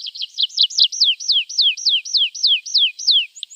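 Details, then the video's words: Javan bush lark song meant to draw a response from untrained caged birds: high hooked whistles, each sliding downward, repeated steadily about four times a second after a quicker opening flurry. "Masteran Branjangan!!"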